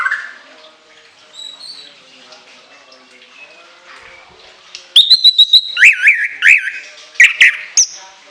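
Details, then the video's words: Orange-headed thrush song with shrill bursts and long, varied fill-in phrases: quiet faint chatter for five seconds, then loud sharp high notes and slurred whistles, some rising and falling, repeated rapidly to the end. "TEMBAKAN LENGKINGAN ANIS KEMBANG ISIAN PANJANG SEGUDANG"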